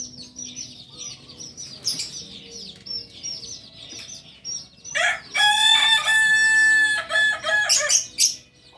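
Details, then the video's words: Native Solok singing chicken, Kokok Balenggek breed, kept on a Solok farm, gives a long segmented crow of about three seconds with several pauses between bright, ringing syllables. Many high twittering bird chirps fill the first five seconds. "Ayam kukuak balenggek ayam penyanyi asli solok"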